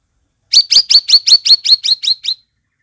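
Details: Grey-bellied bulbul song, used as a lure to prompt stalled caged birds to sing: a quick run of about ten sharp, bright chipping notes, evenly repeated roughly five per second, slightly fading toward the end, with no other sounds.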